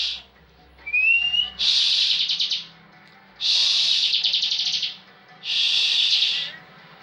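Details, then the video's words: Singing caged bar-winged prinia, a frequent contest champion, in full ngebren style. One upslurred whistle leads into three loud buzzy, rattling trill bursts spaced about two seconds apart. "Ciblek ngebren full"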